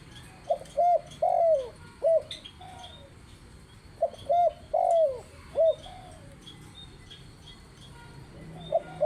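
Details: Spotted dove cooing actively: two low, mellow phrases of several soft hooting notes, each with a longer drawn middle coo, about four seconds apart, with faint high chirps of other birds in the background.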